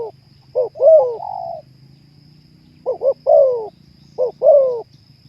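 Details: Terkukur, or spotted dove, in a breeding-mood sound aid: three phrases of quick paired notes leading into a full, bending coo, one ending in a long flat coo, spaced a few seconds apart over soft low hum.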